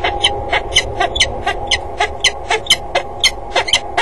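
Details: A peregrine falcon at a water tower in Axel, 5 February 2013 around 13:13, calls during a flight display of circling and diving around the tower: a harsh, rapid cackle of grating notes, about four per second, over a low steady hum, seemingly not hostile.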